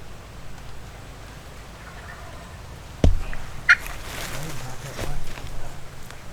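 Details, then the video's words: Osceola wild turkeys gobble about 150 yards away in South Florida, with rattling, rolling distant gobbles in the second half over a low wind rumble and a sharp knock; hunters think they hear one drumming close by. "In the midst of these turkeys gobbling about 150 yards in front of us, Jessi and I both think we hear a turkey drumming directly to our right."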